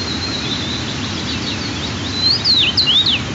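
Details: White-tailed eagle at the nest during the second morning feeding on 4 June 2023, with two eaglets about 12 and 14 days old: faint thin whistles, then a quick run of loud, high, sliding whistled notes rising and falling over steady background hiss.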